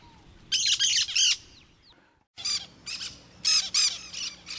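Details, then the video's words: A cactus parakeet (periquito-da-caatinga) gives harsh, grating screeches in quick bursts of three, then a longer run of similar squawks after a brief pause. "CANTO do PERIQUITO-DA-CAATINGA"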